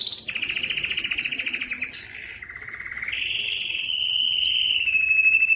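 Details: Canary singing to prompt males to sing: a brief high note, a long buzzy two-tone trill, then lower steady rolling tours that rise and hold as a smooth warbling trill.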